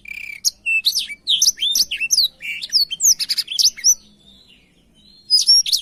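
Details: Song of a black-throated canary used to tutor canaries: quick high chirps, whistled slurs and buzzy phrases for about four seconds, a pause, then a short burst of twittering resumes.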